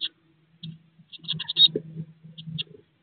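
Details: Blue tit nestlings aged 16 days inside a nest box, not long before fledging, give clustered high-pitched squeaky cheeps, with soft low bumping and fluttering sounds from the crowded box.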